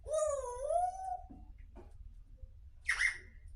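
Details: Grey parrot talking in a sweet voice: a long, smooth, meow-like tonal note that sinks slowly, a few soft scratchy sounds, then a brief harsh squawk that drops away.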